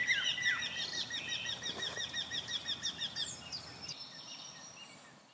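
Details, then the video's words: Eurasian wryneck in spring, a second bird singing just behind another perched on a bush: a steady run of about fifteen nasal, slightly falling notes, roughly three a second, with thin high chirps from other birds. "Et un autre torcol qui chante juste derrière."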